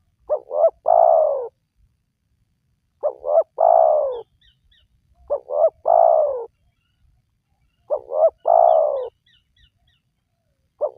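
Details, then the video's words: Spotted dove, sound meant to coax wild doves into calling: four repeated phrases, each two brisk coos running into a long, slurred, downward coo, evenly spaced, faint chirps in the background. "Jitu 100% Pemancing Burung Tekukur Yang Malas Bunyi,Langsung Rajin Bunyi"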